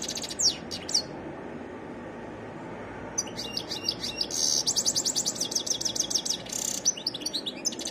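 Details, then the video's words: Varied goldfinch song: a few sharp chips, a pause, then an energetic burst of rapid tinkling trills and twitters, over a low constant hiss. "تغريد حسون متنوع"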